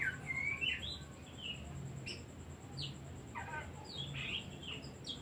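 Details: Oriental magpie-robin singing as a lure for reluctant or stressed birds: a rising slurred whistle, then scattered sharp notes and buzzy chips at irregular intervals over a low hum.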